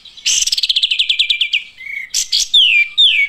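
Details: A rapid descending rattle of about fifteen notes from olive-winged bulbuls, then a short flat whistle, two harsh bursts and two drawn-out falling whistles.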